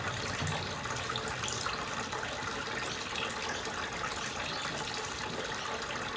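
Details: Continuous gushing, splashing water like a running tap, with no animal calls.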